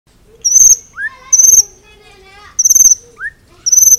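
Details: White-rumped shama song from a full-repertoire recording meant for training other birds: loud piercing high whistles in bursts, interspersed with softer lower slurred and rising notes, phrases roughly every second.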